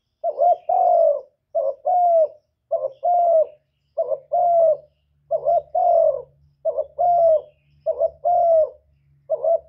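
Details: Spotted dove luring call to stimulate other doves: eight regular two-part phrases, a short note and a longer mellow falling coo, over a low steady hum in the second half.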